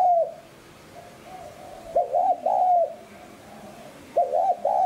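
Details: Spotted dove in the 'hạp bổi sát bổi' cooing style, used to excite decoy birds into calling. The tail of a coo, a soft trailing note, then two full low phrases of a brisk double hoot and a sustained coo.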